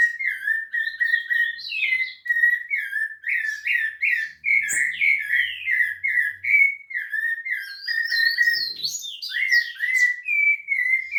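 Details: Song of a rufous-bellied thrush recorded at Piedade: rich, rolling whistled notes strung in quick succession, some phrases swooping downward, while other small birds chirp and twitter at higher pitch behind it.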